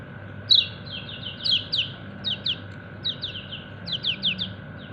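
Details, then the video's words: Kecial kuning, a yellow white-eye, calling its companions with short, high descending 'ciak ciak' chirps in quick clusters of two to five, the clusters repeated about once a second over a steady low hum. "Burung Kecial kuning ciak ciak manggil temennya"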